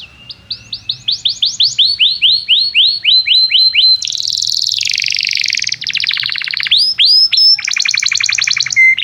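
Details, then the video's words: Canary song meant as therapy and stimulus for young birds to learn singing: accelerating run of upswept chirps, then a dense high buzzy roll, a lower rattling trill, and a final rapid trill ending on a clear whistle. "Kenari gAcorr cuit cuit emosi, Pancingan untuk kenari Paud belajar bunyi"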